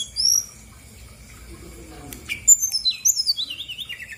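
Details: Female brown-chested jungle flycatcher from Bali singing strongly as a lure for quiet birds. A single high slurred whistle, a pause, then a fast descending cascade of short whistled notes.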